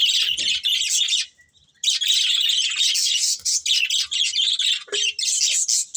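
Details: Constant squeaky warbling from a breeding pair of pet budgies, fast bursts of high chirps broken by one short pause near the start.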